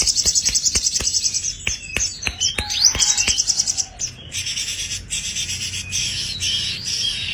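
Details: Caged, fully tame sogon (sepah raja) singing actively: a fast, high pulsed trill, then several rising whistled sweeps among sharp clicks, followed by a buzzy, chattering high phrase.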